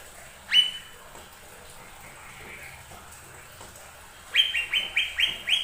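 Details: Lesser green leafbird song played to provoke other birds into singing: one sharp, high note, a quiet gap, then a rapid string of bright, repeated chirping whistles.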